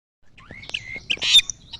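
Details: Asian glossy starling in lively full song: a thin whistle rising then held level, followed by short squawky notes and a brief burst of harsh chatter, with a sharp high note near the end.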